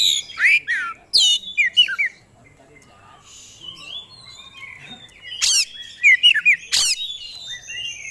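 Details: Oriental magpie-robin in vigorous song, unloading its fill-in phrases: loud downslurred whistles and sharp notes, a quieter pause, then a burst of bright chattering phrases.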